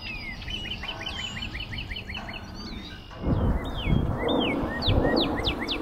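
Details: Northern cardinal at Major Donnelly wildlife preserve, South Windsor, Connecticut, on 14 April 2024, sings a fast run of clear, down-slurred whistles, then sweeping slurred notes, over steady wind rumble with faint higher calls from other birds.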